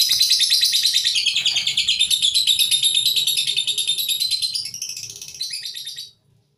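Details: Hardy caged lovebird that sings regardless of handling, its long song duration lost through minimal care; continuous rapid, high-pitched scratchy chirping and trilling for about six seconds, fading out at the end.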